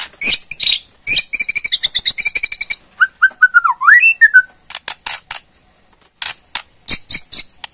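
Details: Rattling ketrekan of a Borneo white-rumped shama, played to provoke response: fast ringing trill of repeated notes, a wavering rising whistle in the middle, then spaced dry clicks.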